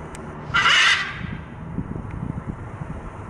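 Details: A macaw in a window at Wynwood Art District, Miami, gives one loud, harsh, raspy squawk lasting about half a second, with low street rumble underneath.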